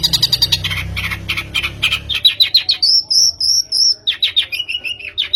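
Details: Long-tailed shrike song played as a lure to prompt a bird to sing: rapid chattering notes at first, then clear high whistled phrases and slurred, falling whistles, mixed with scratchy chirps; low hum early on.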